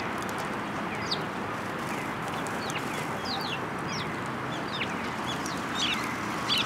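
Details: Sparrows arriving at a feeding post at a Tenmangu shrine to be fed, 22 February 2023; short, sharp chirps scattered irregularly, several birds, over a steady rushing background noise.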